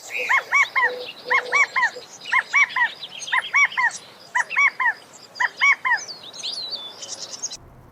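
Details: A California Quail on the ground gives a loud three-note 'chi-ca-go' assembly call to regroup her flock, repeated about once a second, with thin high chirps from other birds behind.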